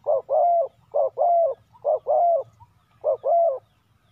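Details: Decoy spotted dove calling wild doves: clean, low, hollow cooing, each phrase a brief note followed by a drawn-out rolling coo, four phrases with short pauses and a quiet low hum beneath.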